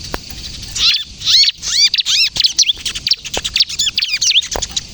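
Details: Bar-winged prinia (ciblek kristal) singing steadily in kejepit style as a lure and prompt for other prinias: a brief faint chip, then rows of high hooked, upslurred notes repeated about twice per second in quick clusters.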